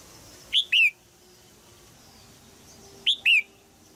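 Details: Caged female red-whiskered bulbul in Thailand calling to stimulate a young male to sing: two bright whistled phrases about 2.5 seconds apart, each a short sharp note followed by a longer downslurred chirp.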